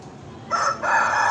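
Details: Aseel fighting rooster gives a loud, harsh crow in two rising bursts, cutting in abruptly over a faint background hiss.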